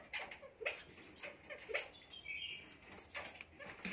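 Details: A grown-up common myna, from India, gives harsh, rasping squawks with short bursts of very high, thin whistles in quick threes, plus one steadier mid-pitched whistle.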